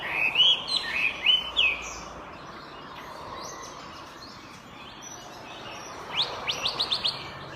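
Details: Highly active Chinese hwamei song: a few loud, rich whistled phrases open, a quieter stretch follows, then a rapid burst of sharp, clipped notes repeated in quick sequence.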